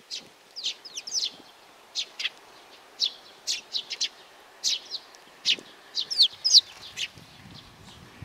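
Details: Young sparrow giving bright high chirps in irregular bursts, some doubled or tripled, others spaced about half a second apart, with little other sound.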